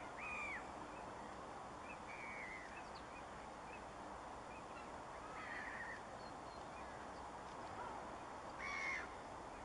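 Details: A Eurasian bullfinch at Forfar Loch gives four soft, low, piping whistles a few seconds apart, faint against a steady wash of wind or water noise.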